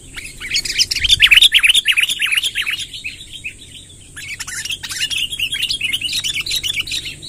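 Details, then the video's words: Sooty-headed bulbul giving a long rolling 'ngerol' song, used as a lure to gather wild birds. Rapid, bright chattering and rolling notes come in two dense bursts split by a short lull near the middle, over a steady faint high-pitched whine. "suara tembakan BURUNG KUTILANG NGEROL PANJANG"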